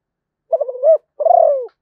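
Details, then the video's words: Zebra dove of Malaysian stock giving a brief stuttering series of soft cooing notes, then a drawn-out purring coo that slowly falls, in quiet surroundings. "chim cu gáy malaysia/ cu gáy malaysia"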